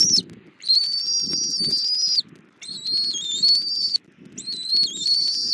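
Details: Nest-camera recording from Southwest Florida, morning of 24 February 2024: a bald eagle mother feeding her eaglet an armadillo breakfast. Long piercing high whistles run in three sustained phrases, each about one to two seconds, over soft low rustle.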